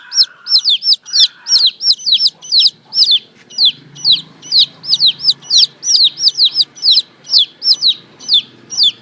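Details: Young domestic chicks calling on a morning: a dense, nearly unbroken stream of shrill falling peeps, mostly doubled, over a soft low hum.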